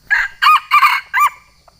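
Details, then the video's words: Wild junglefowl of Sumatra crowing in challenge to a rival, a call used to lure birds. Four raspy harmonic bursts over about 1.3 seconds, the last one arched, ending in quiet. "suara ayam hutan manggil lawan cocok untuk mikat ayam hutan"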